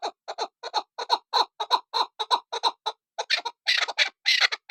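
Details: Female chukar partridge, kept for hunting, uttering quick paired clucking notes in an uneven series, growing harsher and noisier toward the end.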